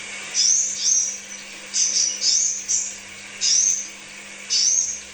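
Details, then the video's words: Crimson sunbird lure song, used as therapy to draw out singing. Very high, thin, twittering bursts about half a second long, repeated roughly every second with short pauses. A faint steady low hum sounds throughout. "Therapy Pancingan Kolibri Sepah Raja"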